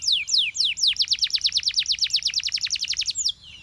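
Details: Belgian canary singing to draw in other canaries. A few descending whistled sweeps lead into a long, regular chain of sharp down-slurred notes, ending on a drawn-out slurred note.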